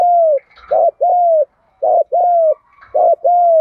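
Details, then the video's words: Spotted dove song in the 'đồng pha thúc gù' style, kept as a pet: low, mellow coos in three two-part phrases, each a short hooked note and then a long, slightly falling coo, about once a second. "tiếng chim cu gáy giọng đồng pha thúc gù"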